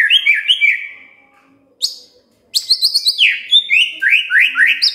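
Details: Magpie-robin song used to stimulate a quiet bird into singing: rich, varied whistled phrases with rising and falling notes, a brief pause, then a dense run of quick sweeping whistles and chirps.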